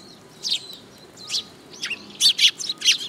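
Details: Eurasian tree sparrows gathering at a feeding spot on a post at a Tenmangu shrine, 26 June 2022; scattered short, high chirps in small bursts, a few quick doubled notes near the end, with quiet background.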